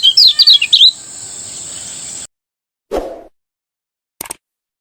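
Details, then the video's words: Brief ngejos phrase from a Lombok lemon-bellied white-eye in the morning: under a second of quick, high zigzagging chirps, followed by hiss, silence, a dull thump and a short click. "masteran kecial kuning ngejos di pagi hari membuat kecial kuning anda ikut bunyi"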